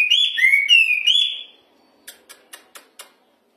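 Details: ['Hwamei song phrase of loud, slurred whistles swooping down and up for about a second and a half, followed by silence and five dry clicks.']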